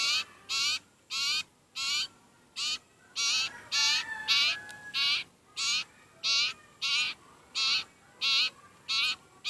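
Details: Very hungry sirpu (sirtu) bird calling for food: evenly spaced, scratchy buzzing calls with a downward-bending tone, about fifteen in quick steady succession.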